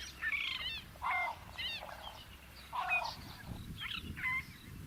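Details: A fork-tailed drongo calls in its natural African habitat: quick sequences of harsh chattering notes alternate with bright metallic whistles and downslurred chips, several phrases packed into five seconds over soft background noise.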